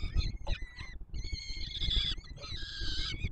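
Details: Brief burst of peregrine falcon chicks begging as the male feeds them at the Warsaw Palace of Culture and Science, 7 July 2022: a few clipped squeals then long, even, harmonic rasping screams, over low background noise.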